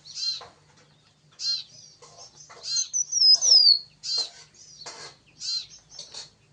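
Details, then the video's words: Yellow-bellied prinia in lively song, giving high rasping bursts spaced about one second apart, with one clear whistle that sweeps down midway through. The background is quiet apart from a faint low hum. "CIPAU JANTUNG GACOR"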